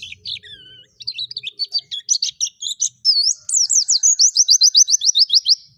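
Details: White-eye singing vigorously in forest style: high, thin twittering phrases that turn into a fast run of sharp, evenly repeated slurred notes, about four per second, over a faint low hum at the start.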